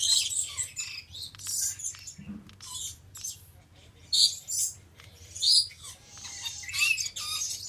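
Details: A male Stella's lorikeet, subspecies goliathina, calling in harsh, high screechy bursts mixed with sharper squeaky notes, roughly every second or two, over a steady low hum.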